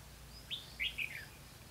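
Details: Trapping lure Red-whiskered bulbul, 4 November 2016: a single quick phrase of three sweet, slurred chirps, the middle note strongest, dropping off at the end against soft background noise.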